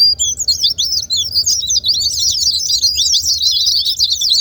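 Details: Energetic white-eye song meant to stimulate reluctant birds into singing; it opens with a few separate slurred whistles, then speeds into a continuous rush of high warbled twitters.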